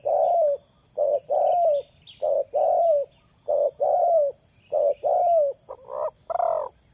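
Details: Spotted dove, a bird prized for luring wild doves, delivering about seven evenly spaced pairs of coos, a clipped note then a longer falling coo; the last notes rise somewhat higher and sound strained.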